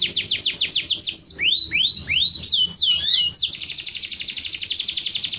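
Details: Canary song for stimulating mating and egg-laying: quick repeated falling notes, several rising swoops, a brief jumble, then a fast even trill to the end.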